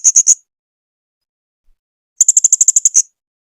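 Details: Blue-crowned hanging parrot (serindit) song from a 2021 masteran tutor recording: a short burst of three high, sharp notes, a pause, then a rapid run of about ten shrill ticking notes, with a silent background.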